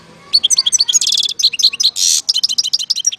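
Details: European goldfinch singing in Algeria, 2019: a fast, unbroken twitter of high, clipped notes with two dense buzzy rasping bursts, the phrase running continuously for about three seconds.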